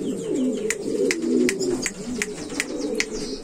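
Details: Buchón valenciano antiguo pigeon, a breed line selected for flight and courtship display, giving low, rolling, overlapping coos throughout, with sharp clicks and taps repeating about every 0.4 seconds and faint high chirps in an indoor space.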